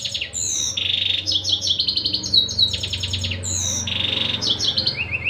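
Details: Canary singing continuously: fast high trills and repeated sharp down-slurred notes alternating with steady buzzy rolls, over a constant low hum.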